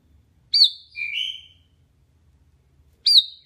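Sooty-headed bulbul singing a bright, liquid phrase: a sharp high whistle, then a lower slurred rising note, repeated after about two and a half seconds in a quiet setting.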